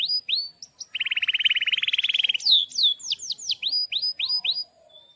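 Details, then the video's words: Canary in vigorous long-rolling song with sharp cuit-cuit notes. A few slurred whistles give way to a rapid buzzy trill of about a second and a half, followed by a series of quick swooping whistled notes. "Pancingan Kenari GACOR panjang"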